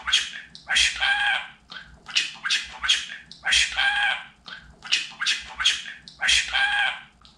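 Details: Pet budgerigar talking indoors, repeating short raspy word-like phrases about three times in under two seconds, with longer nasal syllables mixed among clipped chatter and a faint low hum behind.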